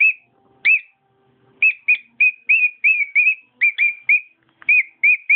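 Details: Pet cockatiel singing: short whistled notes, each with a quick upward flick, delivered in uneven bursts after a hesitant start, with faint low tones early on and a quiet indoor background.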